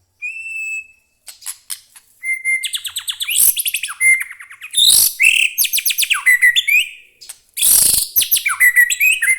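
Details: White-rumped shama kept as a cage bird, singing in full voice: a pure high whistle, then rapid rattling trills, harsh chattering bursts and sweeping whistled phrases in quick varied sequences with brief pauses.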